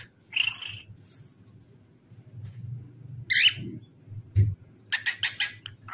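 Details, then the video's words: Pet cockatiel singing and dancing, giving a few harsh, scratchy calls separated by quiet gaps, then a quick burst of buzzy chatter near the end, over a steady low indoor hum. "Famous Cockatiel Singing and Dancing"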